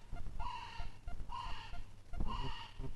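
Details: North Island brown kiwi calling at night within 500 m of Russell Wharf, New Zealand: three harsh, reedy calls about a second apart over a steady low rumble, from a pair's territorial, pair-bond greeting of the female's guttural rasp and the male's high call.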